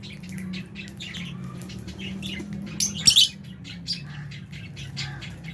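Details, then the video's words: Aviary flock of albino and Fisher's lovebirds with budgies at feeding time; soft scattered chirps throughout, a sharp louder squawk burst near the middle, faint hum below. "Lovebirds Chirping Sounds"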